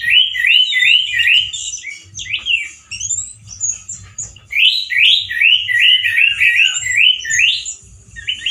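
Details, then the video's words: Male orange-headed thrush, a loud caged singer with harsh wild-style song: rapid series of looping, scratchy whistled notes repeated about three per second, with high thin notes above. "ANIS MERAH GACOR SUARA KERAS DAN KASAR SEPERTI DI ALAM LIAR-ANIS MERAH JANTAN GACOR TELER"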